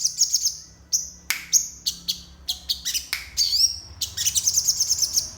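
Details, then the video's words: Morning song of a crested jay, its repertoire filled with learned phrases (isian): bright, high chirps and whistles, some sliding down or wavering, delivered in quick irregular runs with a few short pauses, plus a stretch of rapid twittering. "Absen pagi SOGON ISIan"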